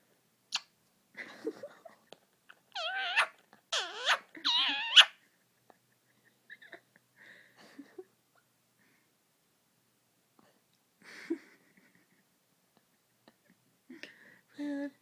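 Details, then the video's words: Male Indian ringneck parakeet talking to himself while in front of an iPad: a few soft, wavering speech-like syllables in a cluster, then long quiet stretches with faint clicks and murmurs. "Parrot talking"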